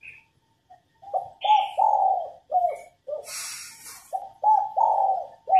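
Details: Cooing female spotted dove, used to stir males to sing: two soft, low multi-note phrases broken by a short burst of rustling hiss, with a couple of high bird chirps.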